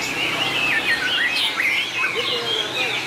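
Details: White-rumped shama in contest singing, 2019, praised for long voice changes: rich, fast whistled phrases swooping between high and middle pitch, with quick slurred notes and warbles running almost without pause over faint background hiss.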